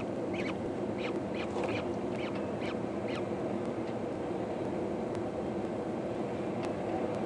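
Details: Hungry peregrine falcon chicks, four eyasses calling to their mother during a feed on 14 May 2012. A burst of short, harsh, repeated cries fills the first three seconds, then only constant rushing noise remains.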